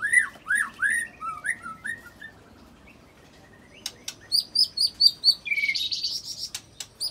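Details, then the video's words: White-rumped shama singing cililin and long canary roll imitations to provoke rival shamas; a series of about eight down-slurred whistles, a pause, then rapid high repeated notes ending in a rough buzzy trill. "Langsung Emosi Bongkar Isian Murai Isian Cililin Sambung Kenari Ngerol Panjang"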